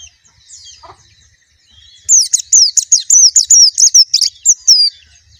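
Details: After a quiet start, a white-eye bursts into a quick run of sharp, high slurred notes lasting about three seconds.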